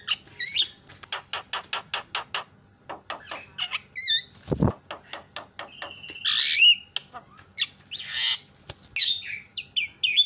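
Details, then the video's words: Champion Javan myna with a loud, senior-style song used for training: stacked rapid clicking notes, wavering whistles, harsh broadband squawks and a long flat whistle, delivered in varied, uneven bursts. "JUARA KICAU JALAK KEBO PALING KRREENN"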